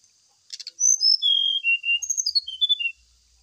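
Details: Brown-chested jungle flycatcher song used as a lure to prompt a captive bird to sing during morning dew airing: a quick buzzy burst, then clear whistled notes stepping downward in a short phrase, over a steady high hiss.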